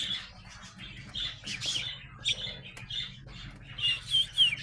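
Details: Growing young sparrows make harsh, squawky chirps and rasping notes in uneven bursts, ending in a few clearer, louder downslurred chirps, over a low background hum.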